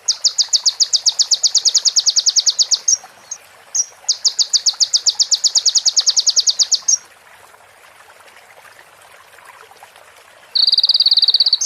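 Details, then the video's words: Crimson sunbird (konin) song, clear with pauses, filled with female prenjak and ciblek phrases: two long, rapid, high chipping trills of about three seconds each, a quiet gap, then a dense buzzing trill. "MASTERAN KONIN FULL ISIAN PRENJAK BETINA SAMBUNG CIBLEK BREN JERNIH JEDA ORIGINAL DARI SUARA KONIN !"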